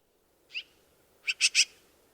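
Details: A Black-billed magpie (Pica hudsonia) gives one harsh note, then three quick raspy chattering notes in a burst; nothing else is heard.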